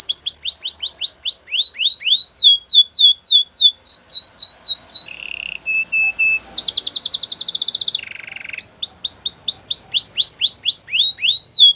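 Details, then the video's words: Belgian canary song used for training: long runs of fast repeated downslurred whistles, interrupted by low buzzy notes and a high rapid trill, then the whistled series resumes. "Canary songs for training | Belgian canary singing"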